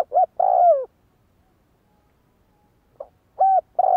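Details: Spotted dove for decoy-bird training: a short coo and a long falling coo, a pause of over two seconds, then a faint note and two more short level coos.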